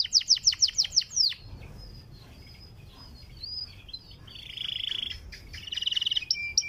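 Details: Panda canary song played daily to encourage a kept bird to sing: a fast series of descending whistled slurs, then a pause with thin high notes, followed by two buzzy trilled phrases.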